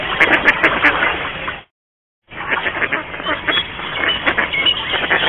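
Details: Mallards in a garden in Mikorzyn call busily during courtship, a dense chatter of overlapping nasal quacks and rasping notes, broken by a brief silence partway through.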